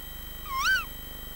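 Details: Tawny owl on a live nest webcam in Bolton, 2012, where a female was nesting and feeding young, giving one sharp, rising-then-falling call under half a second, over a faint steady electrical hum.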